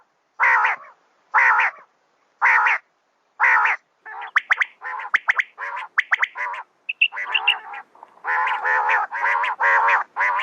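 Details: Female common quail: four evenly spaced rasping bursts, then a flurry of short sharp notes, then longer buzzy calls run close together.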